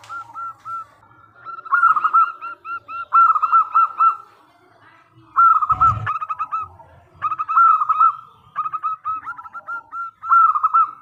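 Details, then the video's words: Zebra dove, a local bird singing frequently, used as a lure to get other doves to respond: repeated phrases of rapid bubbling coos separated by pauses, with one short thump in the middle. "Perkutut Lokal Gacor Suara Super Kristal - Pancingan SapuJagat"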